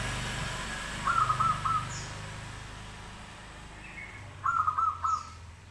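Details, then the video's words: Actively singing local zebra dove: two cooing phrases of three rapid pulsed notes, over three seconds apart, over steady low rumbling background noise with faint high whistles from another bird. "perkutut gacor lokal"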